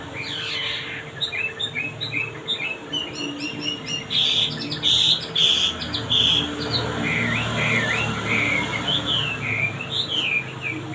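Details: Sweet-voiced male wambi in full song, a long run of varied whistled chirps and slurred notes, some rising, some falling, with rapid stuttering clusters midway and faint low hum behind.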